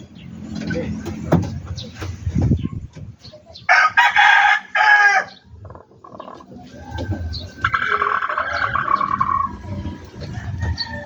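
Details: Chicken at a backyard poultry farm crowing twice, each crow a loud, coarse burst around a second and a half long, separated by quieter knocks, rustles and low background noise.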